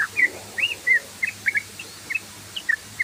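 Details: Yellow-vented bulbul in the rapid ropel song style, used as a lure: short, clear whistled notes, each bending up or down, spaced at uneven intervals against a quiet background hiss.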